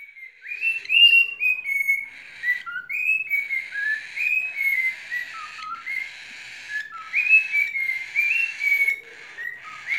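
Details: Cockatiel sings to two baby cockatiels: a run of clear, warbled whistles, rising and falling in quick phrases with brief pauses, steady for about ten seconds with no other sounds.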